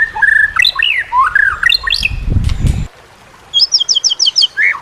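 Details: White-rumped shama (murai batu) tutor song, played to coax reluctant shamas into singing: varied whistled phrases with rising and falling slurs. A low rumbling burst cuts in midway, then a quick run of high chirped notes and a falling whistle.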